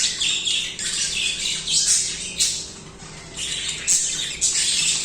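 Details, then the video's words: Budgerigars chirping and singing continuously, raspy warbled phrases with some clearer whistled notes, a brief quieter gap midway before the chatter resumes, over a low hum. "Budgies singing/chirping"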